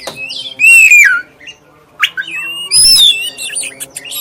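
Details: Lure song of a black-breasted oriental magpie-robin, used to get other magpie-robins singing: clear whistled phrases, one long falling note followed by short rising and sliding whistles, separated by quiet gaps, faint low hum behind.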